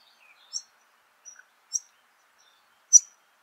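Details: Two White-plumed Honeyeater fledglings at Laratinga Wetlands, South Australia, 9 January 2021, calling for food: a few thin, high chirps spaced irregularly, mostly short single notes with quiet gaps between them.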